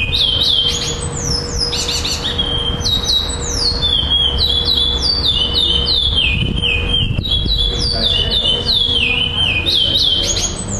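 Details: Tournament song of a black male Chestnut-bellied seed finch, second place in Florianópolis, Brazil, December 2011. Bright descending whistles follow one another about three or four per second in long repeating phrases, with a constant electrical hum underneath.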